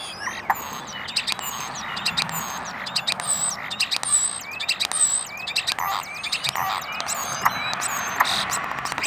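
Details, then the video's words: Common starling singing up close; high, thin whistles sliding up and down, mixed with clicks, gurgles and wheezy fragments in an irregular varied stream. "Starling Mating Call"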